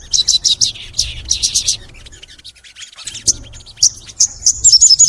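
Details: Crimson sunbird (sogon) singing long and energetically, in full 'nembak' mode, used as a training recording. Bursts of sharp, high chirps and rapid trills, with a quiet gap midway and a quick run of bright notes near the end.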